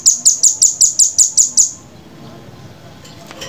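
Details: Velvet-fronted nuthatch in clear tutor-style recording: a rapid series of nine sharp, very high, evenly spaced notes over about 1.7 seconds, then quiet background with faint low hum.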